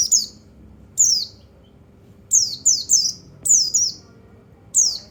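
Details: White-eye (pleci) calls used to stimulate other white-eyes: sharp, very high notes sliding steeply downward, given singly or in quick pairs with short gaps, over a faint low hum.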